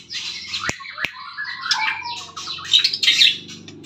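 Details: White-rumped shama singing in the morning, a rich jumble of fast chattering notes and downward-sliding whistles, with two sharp clicks early on and a low hum underneath.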